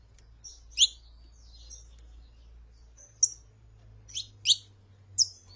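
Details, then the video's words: High, thin chirps from saffron finches, a female calling and a male singing, come in isolated bursts with pauses between them, and brief sharp notes cluster toward the end. "CANTO DE FÊMEA PARA ESQUENTAR CANÁRIO DA TERRA (FÊMEA CHAMANDO E MACHO CANTANDO)"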